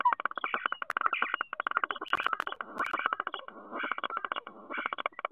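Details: Common starling at its nest box, Théding, France, 10 March 2023: an unbroken stream of rapid rattles and grating chatter, with brief pauses and a few sharp clicks.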